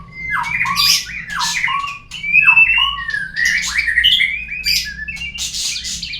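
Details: Lure song of a white-rumped shama, played to prompt birds to sing; dense run of fluty slurred whistles, sharp rising sweeps and scratchy squawks in rapid overlapping bursts, with a faint low hum underneath.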